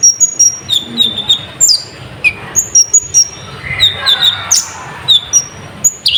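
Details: Sunbird in energetic song, full of borrowed phrases, meant to provoke other birds: many thin high whistles and quick downslurred notes repeated roughly every half second, with a brief scratchy passage mid-sequence.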